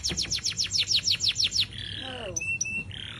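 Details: Free, uncaged Atlantic canary singing a master song for training other birds; a rapid series of about eleven rising high chirps, then a long flat whistle and sharp pips.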